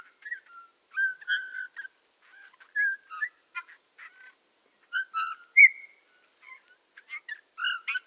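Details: Eurasian bullfinch singing in the Tula Zaseki forest, Tula Oblast, Russia, on 18 March 2015: a quiet, halting warble of soft piping whistles and short creaky, buzzy notes around mid-pitch, delivered in scattered bursts with brief pauses, background otherwise silent.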